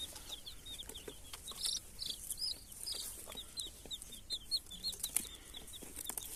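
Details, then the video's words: Faint chorus of baby chicks chirping, with steady high peeps repeated close together and overlapping, over soft background hiss and a few clicks. "baby chicks crying,baby chicks chirping sounds"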